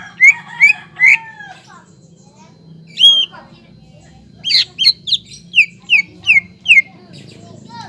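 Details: Greater green leafbird singing as a lure to excite untrained leafbirds: three loud whistles, a pause, one high slurred note, then a quickening run of about eight falling whistled notes, over steady low background noise.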